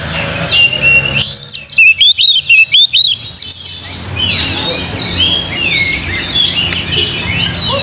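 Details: Oriental magpie-robin song used to provoke other birds into singing: a loud run of clear, high whistled notes rising and falling in quick bursts, then fading into a busy chorus of other birds' chatter.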